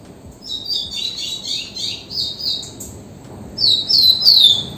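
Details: Rufous-collared sparrow giving a rambling series of high warbled whistles. It then delivers a louder phrase of three or four downward-slurred notes. Steady faint background noise.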